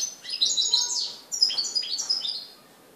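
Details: European goldfinch singing in Morocco on 4 December 2013; rapid, bright, high-pitched twittering and tinkling phrases in three short bursts, with liquid trills and buzzy notes, then fading to quiet.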